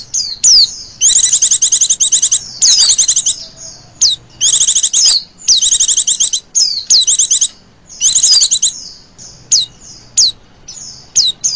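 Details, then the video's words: Used to lure birds, this female Oriental white-eye call alternates quick, high chattering trills with thin, sharply falling single notes, all in clustered bursts with brief pauses. "pancingan pleci betina ngecirrr"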